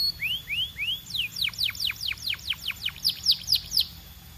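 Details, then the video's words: Belgian canary song opening with three rising slurred whistles, followed by a rhythmic run of steep descending notes, each strong and clear. "Impossible If Your Canary Does Not Immediately Sing‼️ Belgian Canary🐦"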